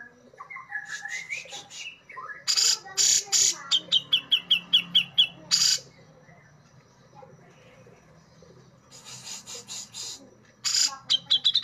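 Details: Brown-cheeked bulbul, locally cucak jenggot, delivering sharp besetan phrases for gesekan training: a rising whistle, harsh broadband rasps, then a fast series of clipped repeated notes, a long pause and a second burst of rasps and rapid chirps.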